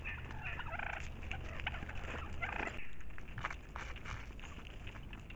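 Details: Turkeys calling as food is brought to them in brush near a marsh and a field, close to a house; a burst of rough, rapid, gobbling chatter over the first three seconds, then quieter scattered calls over steady low rumble and rustling.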